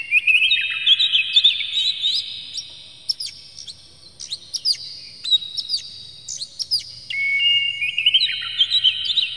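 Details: Oriental magpie-robin song used to provoke other magpie-robins into singing: long, loud, drawn-out whistles with sharp click-like notes scattered throughout, rising and falling in pitch, continuous and varied; faint low hum behind.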